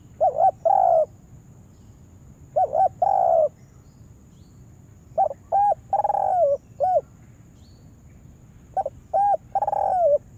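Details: Spotted dove kept as a lure bird, being trained to call wild doves into a yard trap. Phrases of two or three short coos followed by a longer wavering coo repeat about every two and a half seconds over a faint high steady whine.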